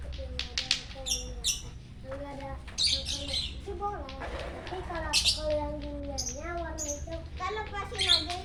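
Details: Champion lovebird singing actively in the morning at Parahyangan Village, Jatihandap, Bandung, greeting the sunrise; squeaky, voice-like chatter of short harmonic notes broken by harsh high bursts, with a low steady hum underneath.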